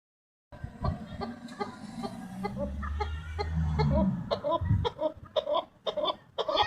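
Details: Chukar partridge calling. A low rumble of background noise comes first, then a run of harsh, clucking pulses repeated about twice per second in the second half.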